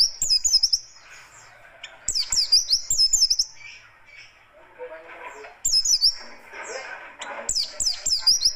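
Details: Oriental white-eye of the buxtoni race, kept as a songbird, delivering a rough, rapid, tightly packed song of high, sharp warbled whistles in irregular bursts, with faint lower chattering between them.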